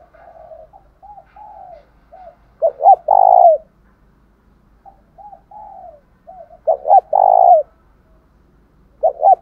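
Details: A decoy spotted dove delivers its fighting coo, meant to set kept doves calling. Soft short coos lead into two loud bursts of paired notes and a long coo, with a third phrase beginning at the end.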